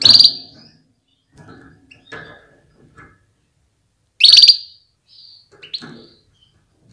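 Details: Female Atlantic canary calling to stimulate males to get ready and sing strongly; two loud, sharp, high chirps about four seconds apart, with faint soft rustling and clicks between.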